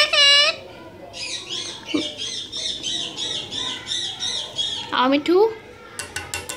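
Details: Pet parrot speaking Urdu/Hindi while a person coaxes it: a hoarse squawked word, then a run of rapid scratchy repeated syllables, a rising squeak and sharp clicks, with a person's voice nearby.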